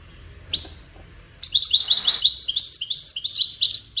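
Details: Singing goldfinch, whose cascading musical notes serve courtship and communication: a single sharp note, then after a short pause a lively, continuous stream of tinkling twitters and buzzy trills lasting over two and a half seconds.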